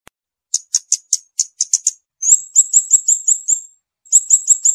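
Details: Scarlet-backed flowerpecker song: a run of sharp, high ticking notes followed by rapid series of thin, very high chips, trilled and repeated in quick bursts with short pauses; no other sounds.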